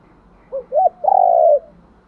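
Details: A single phrase of spotted dove cooing meant to lure: two quick hooted notes rising and falling, then a long, smooth, level coo. The background is otherwise calm.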